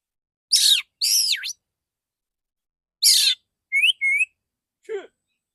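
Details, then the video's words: Male Oriental magpie-robin on a conditioning recording: two harsh buzzy rasping bursts, another after a pause, then two short clear whistled notes and a faint falling note, otherwise silent. "Terapi burung kacer jantan dor dor tembakan full suara ngeplong jernih"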